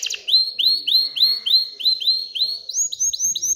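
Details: Excited canary song meant to encourage hens to breed and build a nest. Clear upslurred whistled notes repeat about three times a second, shifting slightly higher in pitch toward the end.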